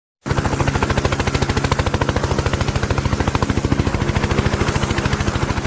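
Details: Steady, rapid mechanical rattling pulses, close to three per second like an engine or motor, begin after a brief silence and fill the rest of the recording with no animal voice.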